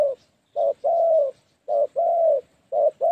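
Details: Decoy spotted dove luring wild doves for trapping, uttering a brief coo and then a longer drawn coo, in three close pairs with short silences between.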